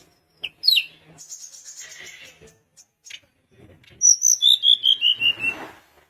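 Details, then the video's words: Sunda minivet song: a few scattered high chirps and a soft buzzy passage, then a loud series of about eight thin whistled notes that slide steadily downward in pitch over roughly two seconds. "Tledekan gunung gacor bikin lawan emosi langsung bunyi"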